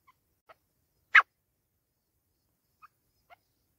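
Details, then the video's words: Pakistani grey francolin giving two loud, shrill, harsh notes about three seconds apart, each preceded by a few soft, quiet clicks; otherwise silent. "Grey Francolin Voice"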